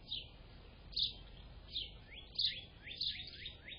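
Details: Grey catbird recorded on 24 April 2025, giving a loose run of short chirpy and slurred notes, some sharply rising, others dropping, delivered at an uneven pace of roughly one to two per second over faint low background rumble.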